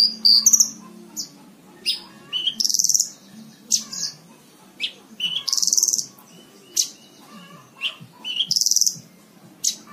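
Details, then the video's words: Horsfield's bush lark singing as a model for cage birds to learn from: loud buzzy rasping bursts recurring every couple of seconds, interspersed with short high chirps and thin whistles over a quiet low hum. "MASTERAN BRANJANGAN SATU JAM FULL"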